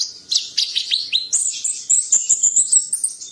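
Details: Rapid high-pitched masteran song of a champion bird: sharp downward-sweeping chirps give way to a sustained, slightly wavering high whistle broken by quick clicks.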